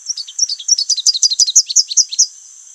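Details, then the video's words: Song of a Rufous-capped warbler (Basileuterus rufifrons): a fast, lively run of about two seconds of very high, sharp, slurred chirps, with notes often paired and ending abruptly over a faint steady hiss. "O canto do Pula pula de capuz vermelho ( Basileuterus rufifrons )"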